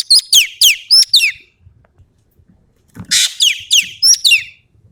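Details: Sumatran common green magpie in energetic full song, two bursts of rapid piercing downslurred whistles mixed with harsh raspy notes, five or six notes per burst, separated by a short quiet gap.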